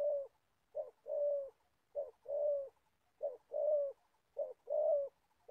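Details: Old decoy spotted dove for trapping, from Gia Lai, giving regular two-note coos, a short hoot then a long soft coo, four phrases roughly every one and a quarter seconds.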